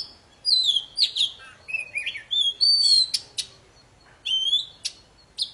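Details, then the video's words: Very vocal poci bird singing to stir silent birds into song: bright whistled slurs and falling notes, with sharp clicking chips between phrases and short gaps of quiet. "Suara burung poci super gacor"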